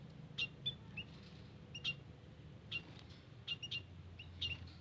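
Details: Lure recording of white-headed munias in a garden: brief high squeaky chirps in little groups of two or three, separated by short pauses, with low ambient hum.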